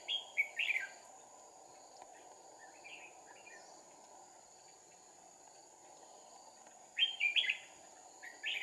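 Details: Red-whiskered bulbul song recorded on 2 April 2019 during trapping with two decoy birds: short bubbly warbled phrases at the start and again near the end, separated by a quiet gap, over a steady insect drone and a thin high whine.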